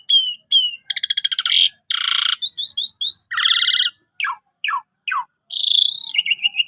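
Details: Javan pied starling tutor song at five o'clock: paired whistles, a rattling buzz, a harsh noisy burst, a series of quick chirps, then downslurred notes with short pauses between phrases.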